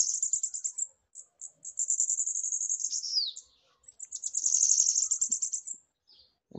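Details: Bananaquit (sibite) kept by its owner, singing while perched on his hand: very high, thin, buzzy pulsed trills in two long bursts, each broken by brief gaps, with a quick downward-sliding note around the middle.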